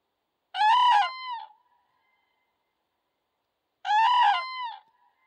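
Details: Common cranes met by chance in fields give two loud, rolling, trumpeting calls about three seconds apart, each with a harsh start and a fading tail; otherwise quiet.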